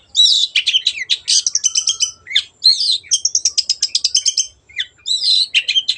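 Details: Long-tailed shrike singing hard, played as a lure for birds that have stopped singing: rapid rattling trills and buzzy stuttered phrases, with fast repeated notes, in almost continuous bursts.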